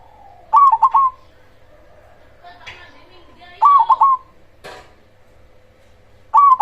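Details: Cemani zebra dove singing loudly as a lure to rouse rival zebra doves. It gives three rolling three-note coo phrases spaced about three seconds apart. Brief voice-like noises and a sharp click fall between the phrases.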